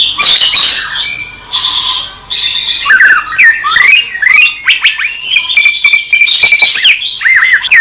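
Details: Greater green leafbird recorded in the wild in Indonesia: harsh raspy bursts at first, then a lively mix of slurred whistles, chips and warbling notes.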